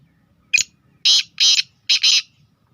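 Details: Harsh call of a Sindhi black francolin, a speeder: a sharp short click-like note followed by four loud rasping, buzzy syllables arranged in pairs, with quiet background.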